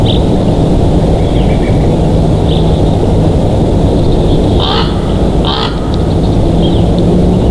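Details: High, piping chirps from a bald eagle at its Big Bear Valley nest on 27 June 2023 in the afternoon. A few soft notes are followed by two stronger squeaky calls late on, all half-buried in loud wind noise.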